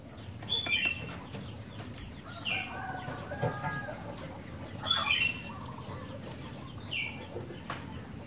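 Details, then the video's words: Sooty-headed bulbul singing: short, bright, bubbly whistled phrases at roughly 0.5, 2.5, 5 and 7 seconds, separated by pauses, over a steady low rumble and faint background noise. "Burung Kutilang Gacor"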